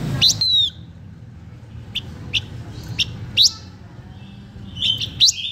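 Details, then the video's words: Blue-winged minla giving a luring song: sharp high chips and short whistled notes, spaced irregularly about every half second to a second, with a quiet low background hum. "Chim khướu lùn cánh xanh hót mồi cực đỉnh/Khướu lục cánh xanh hót căng lửa kích mồi siêu chuẩn"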